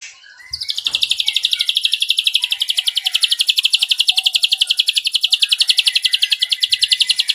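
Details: Ashy drongo delivering its long cililin trill: after a faint start, a high, fast, evenly pulsed run of sharp notes, roughly nine a second, held steadily for over six seconds with little change in pitch.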